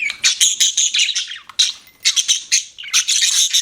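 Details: Budgerigar kept as a pet, giving bright high chirps in rapid bursts, scratchy squeaks run together into short chattering phrases, with a few clean whistled notes between them.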